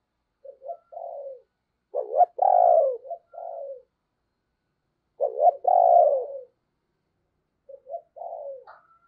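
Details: Spotted dove used as a lure to attract other doves, singing its "giọng sấm" thunder-voice song: deep coos with stuttered starts and long resonant middle notes, phrases separated by roughly three seconds of silence.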